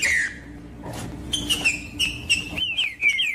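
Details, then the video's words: Captive green-winged saltator singing, used by tournament breeders to stimulate a cold bird. After a short pause come rapid, sweet whistled notes, each sliding downward, over a faint low hum. "TRINCA FERRO CANTANDO"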